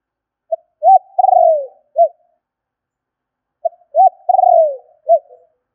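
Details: Spotted dove used to lure wild birds, gọi thúc call: two matching phrases about three seconds apart, each a short note, an arched coo, a long tremulous falling coo and a soft closing note.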